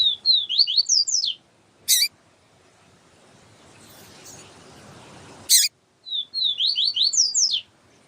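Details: Papa-capim siu-siu (yellow-bellied seedeater) song, with a female calling to stimulate the male: quick runs of rising, slurred high whistles at the start and end, with two sharp clicks in between.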